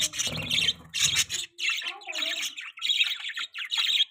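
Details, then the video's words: Pet budgie making mating sounds: a dense, raspy chattering warble of quick squeaks and chirps, with some low rumbling noise at the start. "budgie chirping sound|budgies mating sounds|budgie beautiful voice"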